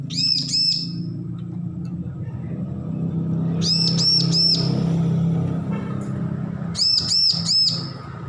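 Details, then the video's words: Young bar-winged prinia, just weaned from hand-feeding and learning to sing: three bursts of four or five sharp, ringing, arched high notes in quick succession, separated by pauses of a few seconds, over a steady low rumbling hum. "Ciblek lepas loloh belajar bunyi full masteran"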